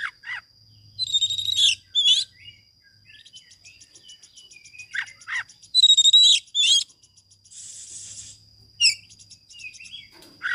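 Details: Oriental magpie-robin master recording for prompting silent birds: bursts of bright whistled notes mixed with harsh downward rasps, scattered soft chatter between phrases, a low rumble in the background and a steady thin tone.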